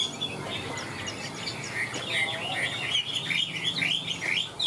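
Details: A caged hwamei sings high. It starts soft, then breaks into a quick run of rising and falling whistles in the second half, with a low rumble in the background.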